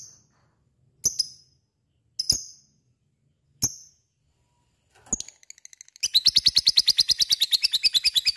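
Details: Lovebird, sung in the ngekek style meant to provoke other lovebirds into singing along: several sharp separate high chirps about a second apart, then a fast, steady chattering trill of rapid high notes for the final two seconds.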